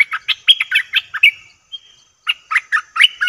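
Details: A bulbul used as a lure for wild birds gives fast chattering phrases of bright, slurred chirps, then a short thin whistle, a pause, and another quick bubbling run.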